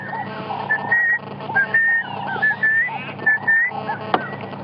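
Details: A group of guineafowl in the African bush at sunrise give relaxed, comfortable, repeated calls. These are not alarm calls but their standard morning announcement of the group's position.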